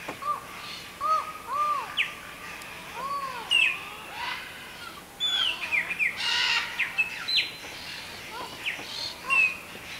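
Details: Collared forest falcon (Micrastur semitorquatus) singing from high in a tree at Buraco das Araras, Mato Grosso do Sul, Brazil: hollow, arched 'ow' notes in short uneven series, smaller birds chirping and whistling higher around; Collared forest falcon.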